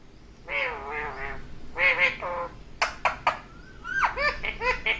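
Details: A pet ringneck (rose-ringed) parakeet talking to its mirror, words like "mummy" and "papa": quick, raspy, word-like chattering bursts that sound almost like laughter, broken by sharp clicks and a few squeaky rising notes.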